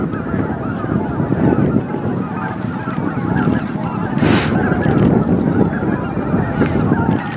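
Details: Around 15,000 greater white-fronted geese descending to their evening roost at Miyajima-numa, Bibai, Hokkaido, 11 April 2016, 18:00–18:30; steady dense honking chorus with a gust of wind noise around four seconds.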